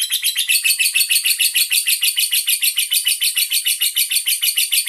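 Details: Caged andong lovebird from Bandar Lampung, Indonesia, tended by a handler and showing off song duration: a long unbroken run of sharp, high chattering notes repeated about three times a second, bright and metallic.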